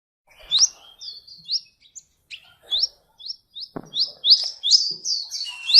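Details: Sunbird in Indonesia, offered as a tutor song for magpie-robins, sings high, thin, rising chirps, mostly single notes at irregular intervals, ending in a denser run of slurred notes. A few soft low clicks sound in the background.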